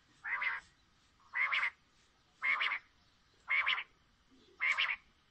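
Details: Female common quail (Coturnix coturnix) giving five harsh, raspy calls, one about every second, each short and steady in pitch, against a quiet background.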